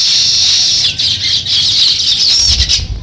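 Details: Sparrows chirping at the start of nest building: continuous shrill, overlapping chatter with a faint low thumping or rustling underneath.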